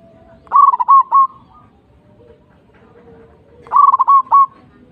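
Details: Local zebra dove from Indonesia: two loud phrases, each a short rising note then a quick run of four or five clipped, bubbling coos, spaced about three seconds apart, with faint lower background notes between.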